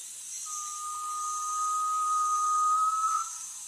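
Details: Garnet pitta giving one drawn-out, pure whistle lasting nearly three seconds, level at first, then swelling and lifting slightly at the end before cutting off, over a steady high insect hiss.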